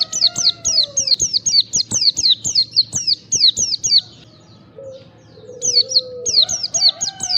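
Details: White-eye; lure calls; lure to stimulate caged white-eyes to sing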